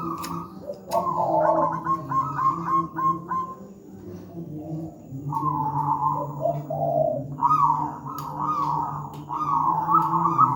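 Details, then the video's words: Zebra dove of local wild stock, big-voiced and tightly phrased, recorded as a master for doves that have not begun singing: repeated rolling coos in close-set phrases for ten seconds, with a steady low hum and occasional faint clicks. "Masteran burung perkutut manggung gacor"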